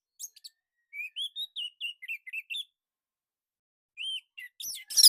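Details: Orange-headed thrush from Indonesia, in a recording used to train other captive birds. A brief, fairly quiet phrase of clear whistled notes rising and falling, followed by a pause and a few higher chirps at the end.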